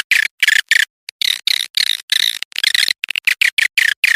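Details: Swiftlet lure call of the edible-nest swiftlet: short bursts of rapid, rattling chirps in a rather irregular series, each burst a fraction of a second, separated by brief silences.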